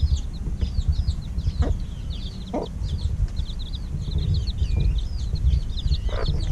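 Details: Chicks about a week old at an evening feeding, giving softer, scattered high peeps, slurred downward, partly masked by strong low-pitched rumble and a few muffled knocks.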